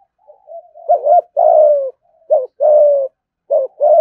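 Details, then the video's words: Spotted dove kept as a cage bird, giving thúc gù cooing. It repeats phrases of a short hoarse note followed by a long, even, low coo, about one phrase every 1.3 seconds, in a quiet setting. "cu gáy thúc gù"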